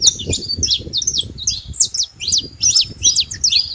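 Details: Free saffron finch in nature giving high, sharp chirps and quick slurred notes at about two and a half per second, fairly uneven in rhythm, over low background rumble.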